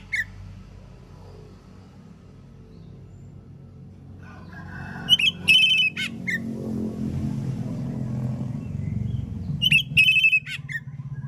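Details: Morning song of an Oriental magpie-robin, meant to draw answers from other magpie-robins: two brief bright whistled phrases with a sustained note and a falling slur, set against rising low-pitched rumbling background noise.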